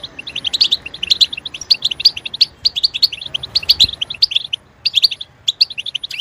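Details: European goldfinch singing to encourage other goldfinches to sing: rapid, bright, tinkling twitter phrases delivered almost continuously, with short breaks in the second half and a single low thump.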